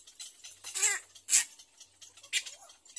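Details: Two hungry Little egret chicks give harsh, rasping, hissy begging calls in three short, irregular bursts about a second apart, with no other clear sounds.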